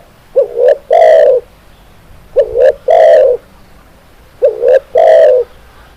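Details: Zebra dove song used as a lure to bring other doves into full song: three phrases about two seconds apart, each a short rising note and a brief double coo followed by a longer rolling coo, loud and clean over quiet background.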